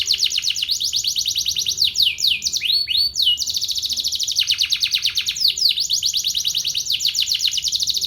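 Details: Canary singing while set out in the morning sun, a loud sustained run of rapid high-pitched trills broken by quick upward-sweeping notes, almost without pause.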